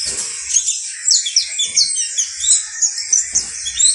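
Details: Saffron finch, locally called canario basto criollo, singing: a run of high, bright chirps and short downslurred notes, loosely spaced, with faint low thumps underneath.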